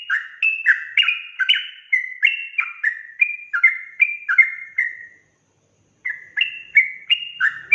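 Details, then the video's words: Sooty-headed bulbul in energetic ropel-style chatter aimed at angering rival bulbuls. Rapid chains of slurred whistles bounce up and down, break off for a second of silence, then resume. "Suara Trucukan Ropel Gacor emosi"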